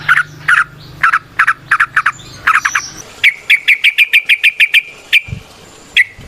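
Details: Yellow-vented bulbul (trucukan) in the wild, singing a long 'ropel panjang' lure song: bubbly chirping that turns into a fast even series of sharp whistled notes, then a few separate chirps.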